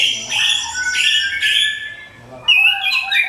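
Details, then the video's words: Orange-headed thrush delivering a lure song to provoke other birds. Harsh, scratchy squawking notes repeat in three loud bursts, then a short gap and a burst of bright, jumbled high chirps. "SUARA MENGKRISTAL ANIS KEMBANG PANCINGAN TIADA LAWAN"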